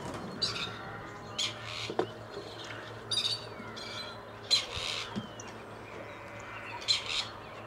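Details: Near Tullow, two wild male grey partridges, once released by a conservation project, call as they seek females: rasping, creaky bursts repeated roughly every second or so across the recording, with a steady low hum and faint clicks beneath.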